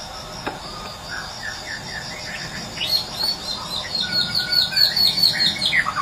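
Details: Medan white-rumped shama, morning lure from the wild used to make birds that have stopped singing start again: rapid varied whistles and chirps, about two per second, growing louder, over constant cricket buzzing.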